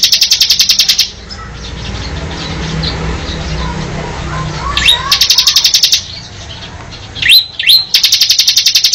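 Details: Mountain cemblek bird giving rapid high buzzing trills at the start, middle and end. Short rising whistled notes come between them, and a quieter stretch of low rumbling background fills the gap.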